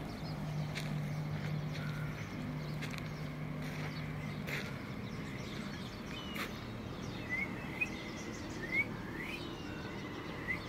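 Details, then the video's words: Asian koel calling while hidden from view: a short run of faint, rising whistled notes near the end, repeated about once a second, over steady low vehicle hum and scattered clicks. "Koel(Cuckoo) Hiding"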